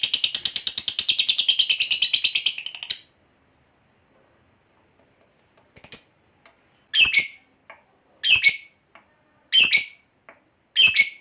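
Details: Fighter lovebird opening with a three-second rapid rattling ngekek trill, then a pause followed by separate harsh chirps spaced over a second apart.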